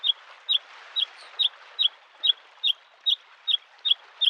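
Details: Bluethroat at a spring lake giving a steady series of sharp clicking tick notes, about two per second, evenly repeated over the soft sound of waves.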